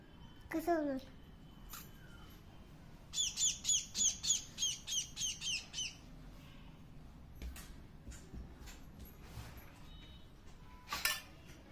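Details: A hungry bird, hand-fed flatbread, begs with a rapid run of about ten sharp, high, downslurred squawks. Marathi speech and clicks come before and after.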